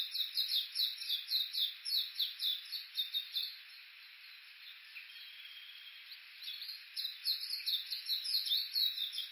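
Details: Japanese bush warblers recorded on a walk along Uguisu Road at the foot of Mt. Yakushi, Kuga, Suo-Oshima, Japan, with an Olympus Voice-Trek V-82: rapid, repeated high chattering notes, about four per second, fading briefly mid-way then resuming.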